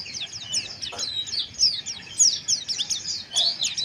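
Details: Pleci harsh chirping for breeding arousal: busy high-pitched chattering of quick downslurred notes, with brief faint knocks and a few louder sharp accents.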